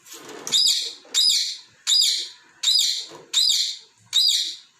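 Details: Pet parrot indoors, playing with its toy balls and scolding them for moving; loud harsh high chirps repeated about every 0.7 seconds, six in a row, each with a sharp start and fading tail.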